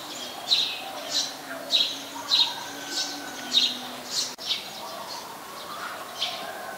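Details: Eurasian tree sparrow in Ubon Ratchathani, Thailand, 22 November 2019, a very common resident, giving a run of crisp chirps roughly every half second, then several fainter ones, against quiet background noise.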